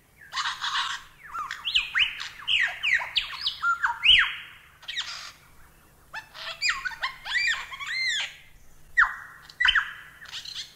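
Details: Lyrebird delivering a rich, varied song for masteran bird training: rapid bursts of sweeping whistles and rising and falling slurs, broken by short pauses and changing pattern from phrase to phrase.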